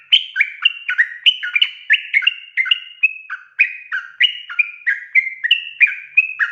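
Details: Sooty-headed bulbul singing in a busy gacor style, a lure to make untrained birds sing; quick liquid whistles alternating high and low notes, crowded and overlapping, steady throughout with no pauses.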